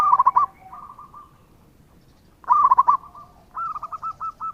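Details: Zebra dove, local bird, in steady song used as a lure to prompt answers. Sharp rolled coo bursts and softer runs of evenly spaced notes trade back and forth, separated by a short quiet gap.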